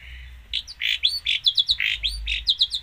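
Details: Long-tailed shrike singing a gacor song full of isian: quick alternating phrases of lower, rough notes and high, clipped chirps, delivered rapidly in a rhythmic pattern.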